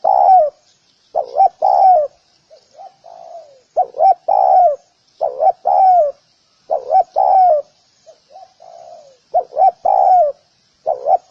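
Spotted dove giving soft, hollow coos in phrases of two or three notes, repeated every few seconds, with quieter low coos between phrases.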